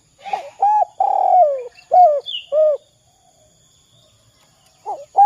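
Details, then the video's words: Spotted dove giving its 'kuk 2' style coo, used as a lure to set other doves calling: short arched hoots, then a long falling drawn-out coo and two more hoots, with faint high chirps from another bird and a quiet pause near the end. "Suara Derkuku kuk 2"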